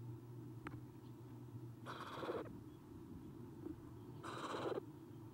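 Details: Three eastern screech owl owlets in a nest box, on 30 April 2016 at 9:54 am, when the adult has left, give two harsh, raspy hissing bursts, each under a second, about two seconds apart, over a low steady hum.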